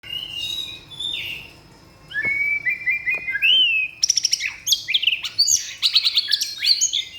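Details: White-rumped shama delivering its filled-in song of learned phrases: a string of clear rising whistles, then rapid, high, twittering and chattering notes sweeping up and down, loud and varied, with light background hiss.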